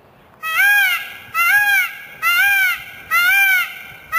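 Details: A kept peacock calling, recorded on a camcorder; loud, nasal, honking wails with rich harmonics, each about half a second long, repeated four times at roughly one-second intervals.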